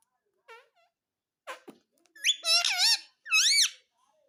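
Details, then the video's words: Indian ringneck parakeet kept as a pet, mimicking "mummy mummy": a short squeak, then three loud, harmonic, speech-like syllables that bend up and down in pitch, the last two paired, with quiet room sounds. "मम्मी मम्मी बोलने वाला मिट्ठू || Talking Parrot || Mummy Mummy Bolne Wala Parrot"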